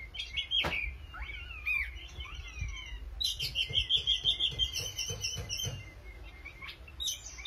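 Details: An Oriental magpie-robin sings energetically: falling whistled slurs and twisting notes, then a fast trill of sweet repeated notes, a few per second, over a constant low hum and occasional knocks.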